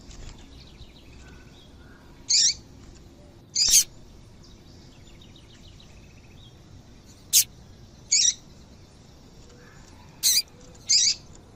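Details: Female double-collared seedeater call, used to get males singing: about six brief, high, buzzy notes in irregularly spaced bursts, with sharp clicks between them over a faint steady hiss.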